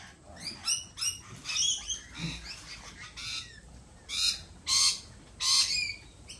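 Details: Lorikeet squabbling at a lorikeet cafe: rapid squeaky chips give way to loud, harsh, broad screeches spaced under a second apart.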